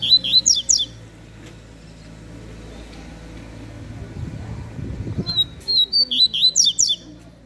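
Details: Captive double-collared seedeater (coleiro) singing in 'fibra' style: bursts of high, sharp, rapidly slurred notes, pausing about four seconds between phrases, with faint room noise and a low hum underneath.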